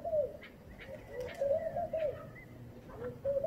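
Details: Laughing dove (Spilopelia senegalensis) in the morning, giving soft, bubbling coos that rise and fall in quick runs of low notes, with faint high chirps from other birds behind.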